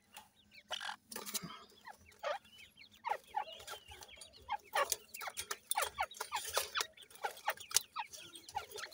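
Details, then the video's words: Grey francolin chicks during feeding give a dense run of short high chirps and rising cheeps, overlapping, with frequent taps and clicks. "grey francolin chicks nice voice,francolin k baby feed"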